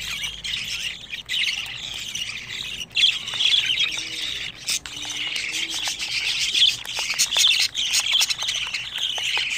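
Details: Budgerigar chicks, 25 days old, give dense, continuous high squawking chatter. Raspy, overlapping notes pile up without pause, and a few brief, sharper squeaks stand out from the stream.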